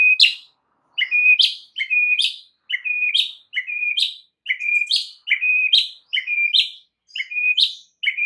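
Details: White-rumped shama song played to coax other shamas into song: one sharp two-part note, a flat whistle followed by a high upward flick, repeated steadily about every 0.7 seconds.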